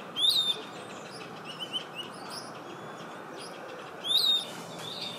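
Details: Piratic Flycatcher, regularly seen at a lodge in southern Amazonian rainforest, Brazil, 2018, gives two high, whiny whistled notes that rise then drop, about four seconds apart, over steady insect-like hiss.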